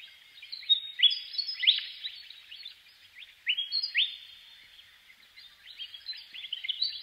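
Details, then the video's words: Willie wagtail delivering clusters of bright upward-sweeping notes, two louder bursts separated by softer stretches, then a renewed chattering run. "Natural Birds Voice, Bird Natural Sound.Willie Wagtail"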